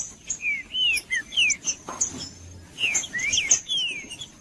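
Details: Trinca-ferro, the green-winged saltator, singing to stir up a cold bird before tournaments: sweet whistled slurs, some rising, some falling, in two bursts split by a quiet pause with a soft thump, faint high hum behind.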